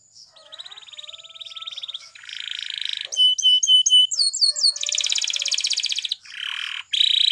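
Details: Spanish Timbrado canary training song: varied phrases, a thin rolling trill, a buzzy harsh passage, sharp bright upward chirps, then a dense metallic trill and further buzzy bursts.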